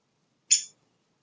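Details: Downy woodpecker in Coto de Caza, California, giving its simple call: a single short, sharp high chirp, cut off quickly, with silence around it.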